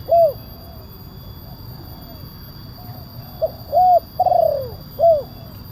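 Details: Kuk 1 style spotted dove call with a big voice, meant to draw in wild doves: a lone coo, a quiet gap, then a phrase of short note, arched coo, long trembling falling coo and final coo.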